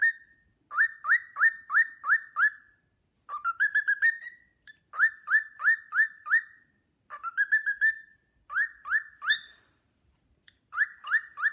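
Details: Pet cockatiel whistling the Sportpalast Waltz at length while another cockatiel watches admiringly: clear repeated upslurred whistles in fast runs of five or six, broken by brief rising phrases and short pauses.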